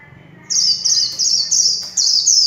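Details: High, continuous twittering from a kept warbling white-eye singing líu chòe, the rapid slurred notes grouped into short bursts about every half second.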